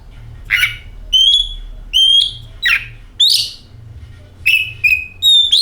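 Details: Oriental magpie-robin song for luring a bird into song: alternating buzzy rasps and pure sustained whistles, some gently rising, in a steady series of separate phrases.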